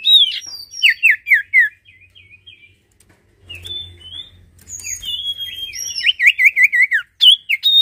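Sirtu singing high, thin, rapidly warbled phrases, some falling and some trilled, in bursts with a short pause midway; a faint low hum underneath.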